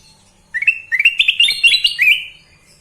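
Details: Sooty-headed bulbul, kept bird, singing a bright run of quick whistled notes that climb and waver together into a rolling, bubbling phrase lasting about two seconds, with faint low hum behind.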